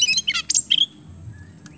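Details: Kacer kemben Oriental magpie-robin singing energetically, as used to stimulate other birds into song: a fast cluster of harsh, chattering and whistled notes in under a second, then near silence with a faint low hum.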